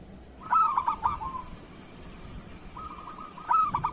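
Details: Local zebra dove, used as a master recording to coax lazy or molting doves to sing, in kerot style: two loud cooing phrases of quick stuttering notes, each running into a softer rolling trill, with quiet background hum.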